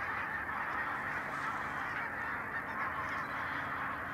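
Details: Enormous barnacle goose flock near Stoomgemaal Nijkerk, Netherlands, from the resident breeding population; a steady wall of countless short barking honks, unbroken and even in volume throughout.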